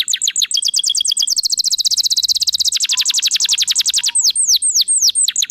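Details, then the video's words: Canary in full song, unloading its repertoire as a lure for other canaries: quick falling notes, then a long very rapid trill, then a few slower falling whistles spaced about a quarter second apart. "PANCINGAN SUARA BURUNG KENARI GACOR BONGKAR ISIAN"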